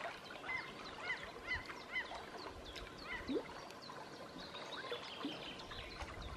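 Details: Common gulls (Larus canus) flying past at midsummer in Southern Savonia, Finland, give short, nasal, downslurred calls every second or so, over a dense background chorus of other birds.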